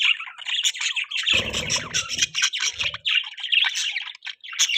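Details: Continuous budgerigar chatter of high, grating chirps and squawky notes packed closely together, with a low thudding noise underneath for a moment.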